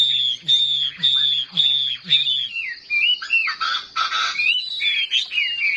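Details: Competitively singing caged Chinese hwamei: a series of repeated strong whistled notes over a low hum, then varied slurred phrases mixed with a burst of harsher, noisier sound.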